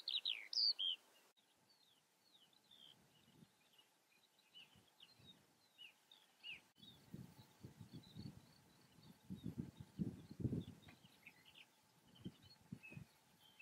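Eurasian skylark giving a continuous, high, fast twittering song of varied chirps, over low rumbling wind noise.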